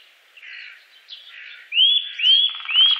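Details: Three clear upslurred whistles from a Eurasian nuthatch, each rising quickly and then leveling off, spaced about half a second apart. Softer rustling notes come first and a buzzy undertone follows.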